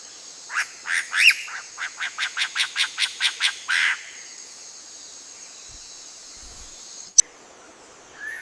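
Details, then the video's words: Myna calling while walking along a tree branch: a fast series of about fourteen harsh, evenly spaced notes over three and a half seconds, then a steady high hiss and a sharp click. "Myna bird calling while walking along a tree branch"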